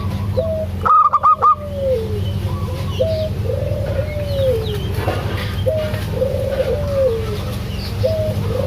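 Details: Zebra dove female calling the male: after a brief burst of four loud clipped notes, a series of low cooing phrases, each a short level note followed by a longer, gently falling coo, repeated about every second and a half over low hum.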